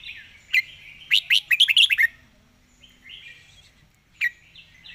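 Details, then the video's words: Red-whiskered bulbul singing a rapid 'zone' style phrase, a single sharp note followed by a fast tumbling run of bright chirps, then soft warbling and one more clipped note. "สายเพลงโซนห้ามพลาด"ทีเด็ดเพลงโซนปากไว เพลงรัวๆ"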